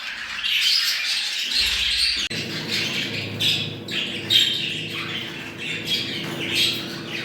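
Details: Budgerigars calling to encourage breeding, a flock of scratchy chirps and squawks overlapping, with a low steady hum and a short thump near the start.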